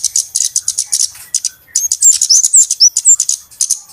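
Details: Busy flowerpecker lure calls meant to draw birds in for trapping: fast runs of high, sharp ticking notes, then a cluster of thin rising and falling whistled slurs in the middle.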